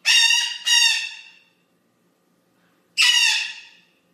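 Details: A blue-winged amazon, a parrot newly described from Mexico with a distinctive call, gives three harsh, rasping squawks: two in quick succession, then one more after a pause. No other sounds.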